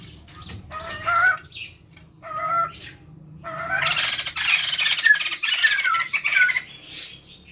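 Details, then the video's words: White-crested laughingthrush male and female pair, used as a lure: short harmonic whistled phrases, then a loud noisy cackling chorus with sharp whistled notes, over a faint low hum. "Riuh suara poksay jambul jantan & betina gacor | Coba pancing poksay dirumah dengan sura ini"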